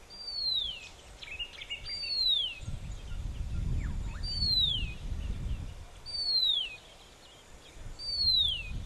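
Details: A Horsfield's bronze cuckoo singing on Postman's Track near Samsonvale Cemetery, southeast Queensland, gives high, thin whistles sliding steeply downward about every two seconds, over low wind rumble and faint chirps.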